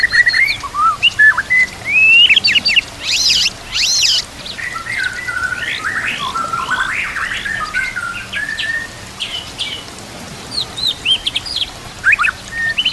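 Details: Murai batu, the white-rumped shama, singing a varied full isian: harsh squawky notes, slurred up-and-down whistles, and two loud noisy bursts mixed in among rapid chatter.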